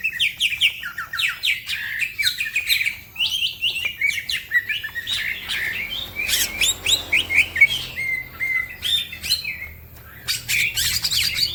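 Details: Lively green leafbird song meant for tutoring other songbirds, others answering; crowded rapid chirps and twitters at first, then a thinner patch of scattered notes before a final busy flurry.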